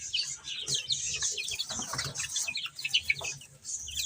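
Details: Chorus of baby chickens eating and playing: constant high chirps from many chicks blending into a busy twittering wash, with rustling and scratching sounds beneath.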